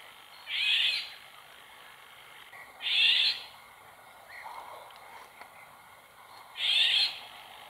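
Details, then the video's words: Female Eurasian golden oriole recorded in the wild near a pond, giving three harsh, cat-like screeches, each about half a second long and a few seconds apart, with faint softer bird notes between. "LORIOT d'EUROPE, cris"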